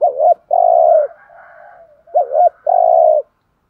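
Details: Decoy spotted dove calling to attract wild doves: a hooked double note and long coo, a soft wavering murmur, then the same hooked note and long coo again.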